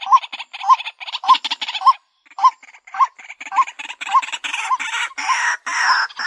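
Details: White-breasted waterhen lure call: regular notes with hooked, rising tones and scratchy overtones, followed by broader, louder harsh croaks toward the end.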